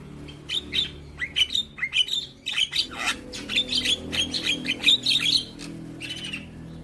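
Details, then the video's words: Young Javan myna in full song while nodding, giving a fast, jumbled series of scratchy chirps and squeaky whistles for about five seconds before falling quiet. "Kicauan Jalak Kebo Muda Gacor Manggut2"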